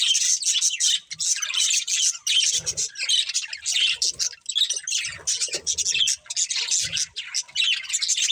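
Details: Budgerigars, a family of pet birds, chattering busily: bursts of harsh, buzzy, high twittering repeated almost without pause, with quick scratchy chirps layered over one another.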